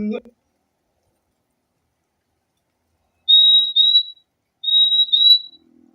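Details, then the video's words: ['A short human voice sound opens, then after a silence the fim-fim gives two high, level doubled whistles a little over a second apart.'] "O LINDO SOM DO PÁSSARO FIMFIM"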